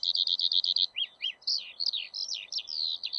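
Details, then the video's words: Skylark song opening with a quick string of even bubbling notes, followed by dipping chirps and sweeping whistled slurs, all high-pitched, with low hiss in the background. "ПОЛЕВОЙ ЖАВОРОНОК-ПОЮЩИЙ ЛЕКАРЬ"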